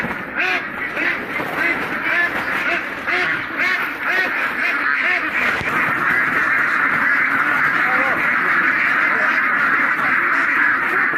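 A flock of mallards quacking nonstop, many harsh, nasal quacks overlapping at about two per second, with a steady chattering murmur underneath.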